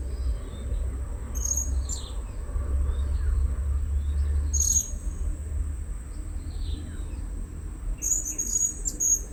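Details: Blue-crowned hanging parrot at a new luring spot, calling to lure wild birds: sharp, very high chirps in short bursts a few seconds apart, over a steady high insect-like whine and a low background rumble.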